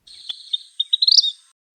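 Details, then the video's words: Vermilion Flycatcher singing in an Arizona desert backyard in spring: a high, thin "pi-pi-pit TER-reee", with a few quick separate pips speeding into a rising, twittering trill at the end. "Vermilion Flycatchers give a series of thin, chattering notes: “pi-pi-pit TER-reee.”"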